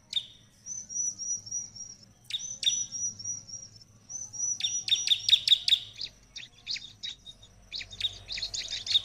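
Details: Prinia song played to prompt ciblek replies: drawn-out high whistles lead into brisk chirp runs, then a dense scratchy chatter, with a soft low background drone.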